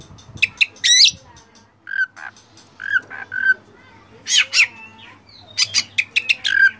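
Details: Varied master song of Oriental magpie-robin with fill-in phrases: harsh squawks, short mid-pitched whistles and sharp upward-sweeping notes in uneven bursts separated by brief pauses.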